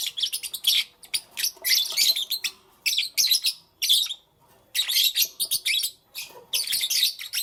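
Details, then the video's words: Lovebirds kept as pets chirping in the morning, loud bursts of rapid, harsh, squeaky chatter lasting about a second each, separated by short silences. "Lovebirds Chirping Sounds"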